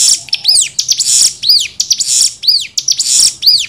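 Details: Cigun in 'nembak' delivery, recorded as a training tutor: repeated arching whistles sweeping downward between harsh buzzy rasps, around one phrase per second.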